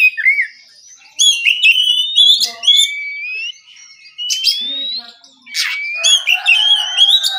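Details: Oriental magpie-robin singing relaxed in the morning, meant to prompt rival magpie-robins to sing back: varied clear whistles, long rising and falling slurred notes mixed with sharp chips and scratchy phrases, with short pauses.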